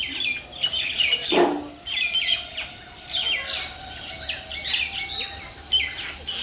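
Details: In a Bangladeshi village, mynas chatter in bursts of scratchy chirps and squeaky, downslurred notes with short gaps between them. A brief thud sounds near the second mark, over a low steady hum.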